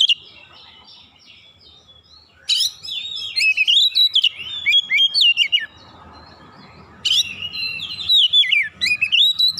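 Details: Roused by a rival magpie-robin, an oriental magpie-robin bursts into loud, varied whistled song after a quiet start, with a second quieter stretch of faint hiss before another strong, fast run of notes.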